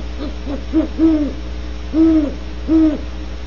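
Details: Nearest great horned owl hooting repetitively with almost no variation beside a barn owl cavity at Audubon Starr Ranch, California. Two quick low hoots, then three longer deep hoots spaced under a second apart, over a constant background hum.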